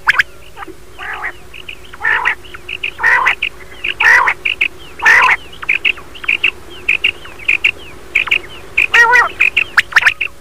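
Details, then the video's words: Common quail (batair) calling: quick, liquid three-note phrases repeated over and over, overlapping with harsher, wheezy bursts from several birds; a morning recording. "batair sound/batair lawa"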